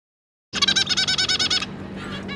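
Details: Zebra finch from a pair kept with their three juveniles, May 2022: a rapid run of short harmonic nasal notes, evenly repeated, followed by a softer second phrase, with a steady low hum beneath.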